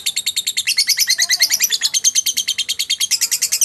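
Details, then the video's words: Caged lovebird giving a long continuous ngekek trill in the konslet style: rapid, harsh, rattling chatter of about three pulses per second, high-pitched and unbroken throughout. "Burung lovebird ngekek konslet"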